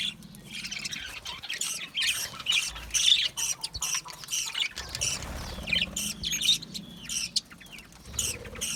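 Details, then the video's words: Budgies, colourful parrots kept in an aviary, chatter continuously in harsh squawks and sharp chirps, bursts crowding together with a short quieter gap halfway. "Budgie chirping sounds"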